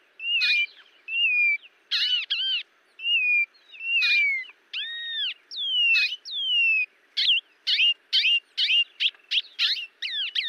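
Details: Varied whistling from Cerrado birds in Brazil: falling clear whistles and arched slurred notes, then faster, sharper high chips toward the end.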